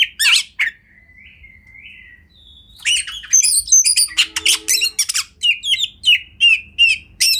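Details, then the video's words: Kacer (Oriental magpie-robin) master song for training: a loud chip, then soft drawn-out whistles, building into a fast series of sharp, scratchy high notes and short whistled phrases. "Lagu Kacer Satu Ini Sangat Bagus Buat Masteran Kacer Anda"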